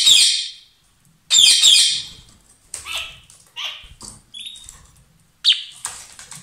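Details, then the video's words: A pair of lovebirds singing loudly: repeated piercing, buzzy screeches and sharp squeaky chirps in quick uneven bursts, about six calls, with short silences between them. "Gli inseparabili | 20minutes Love birds Sound"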